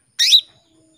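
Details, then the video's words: Female canary calling a male to prompt him into song: a single bright, high chirp sliding downward, lasting a fraction of a second, then silence. "PANCINGAN KENARI BETINA MEMANGGIL JANTAN"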